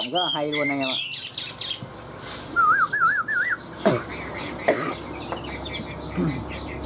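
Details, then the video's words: Caged Chinese hwamei, one of two tame birds kept three years, singing a competitive fighting song: loud varied whistles at first, then a rapid wavering trill and scattered sharp notes over a noisy background. "Họa mi hót đấu cánh đuôi đẹp - 2 em thuần 3 năm lồng"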